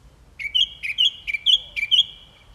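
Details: Song thrush repeating one short phrase four times in a row, about every half second: a sharp note dropping into a clear whistle, each copy near identical and loud against a quiet background.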